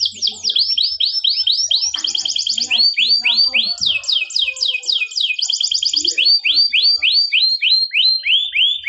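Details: Canary (Serinus canaria) training song for tutoring young canaries: loud, unbroken song of bright, high, sweeping notes about three a second, broken by fast rattling trills, over a faint low hum.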